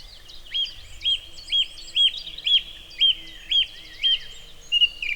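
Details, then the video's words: Song Thrush in Wales mimicking a Cuckoo: a run of nine short, clear notes, each rising then dropping, repeated about every half second at steady pace, with faint chirps of other birds above. "Song Thrush mimics a Cuckoo, audio recording Wales UK"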